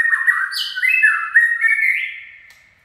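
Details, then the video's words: White-rumped shama in 'chạy cầu' song run style: a rapid chain of slurred, stepping whistled notes with squeaky high accents, drifting gradually upward and fading out at the end. "Chích chòe lửa chạy cầu shama run"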